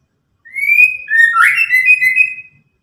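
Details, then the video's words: Clear whistled phrase of a white-rumped shama in ketrekan style, a long rising note sliding into rich warbled whistles lasting about two seconds. "KETREKAN BURUNG MURAI BARU BUAT LAWAN EMOSI"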